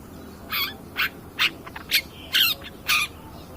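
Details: Long-tailed shrike lure recording for provoking other birds: six harsh, grating squawks, each about a quarter second long, repeated roughly every half second.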